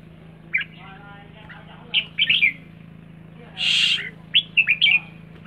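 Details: Rik call of a red-whiskered bulbul: scattered sharp chirps, a loud harsh squawking burst in the middle, then a tight run of clipped rising notes, over a quiet steady hum.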